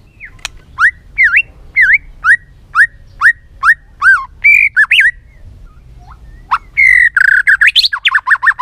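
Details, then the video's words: White-rumped shama song: a steady series of rising, V-shaped whistled notes, about two a second, then a pause, then a fast stream of jumbled warbled and repeated notes. "Kích Chòe lửa hót nhiều giọng, Căng lửa, chòe lửa đánh đuôi kích cực nhạy.luyện chòe lửa hót nhiều"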